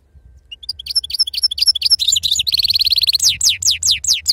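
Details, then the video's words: European goldfinch in wild 'serfati' song style: a run of spaced high chirps speeds into a tight buzzy trill, then ends in a series of clear downslurred whistles repeated at an even pace, over a soft low hum. "أفضل تغريد بندوق حسون خلوي أصيل الله يبارك لصحابو ما شاء الله لغه خلوي أصيل سرفاتي"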